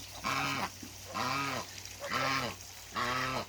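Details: Two African geese at a farm; four long, steady, nasal honks each lasting about half a second, evenly spaced under one second apart, with arched pitch and strong overtones.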